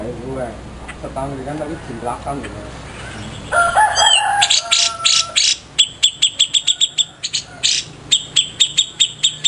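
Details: ['Grey-cheeked bulbul kept as a master bird for tutoring songbirds: a man talks first, then the bird gives harsh, loud notes and runs of sharp, metallic ticks in bursts.']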